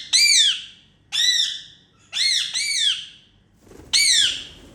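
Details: Indian ringneck parakeets kept as pets, making happy sounds during playtime: four loud, raspy, downward-slurring squawks about one second apart, each harsh and ringing, with a faint rustle before the last call.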